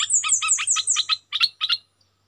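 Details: Decoy Red-whiskered bulbul: a few loud chirped notes under a high, thin series of falling whistles, then two spaced double chirps before silence. A faint low hum runs underneath.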